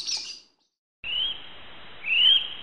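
A kiwi gives a shrill, sustained whistle that swells into a rising note. It is preceded by a brief bright chirp from another bird and a short silence.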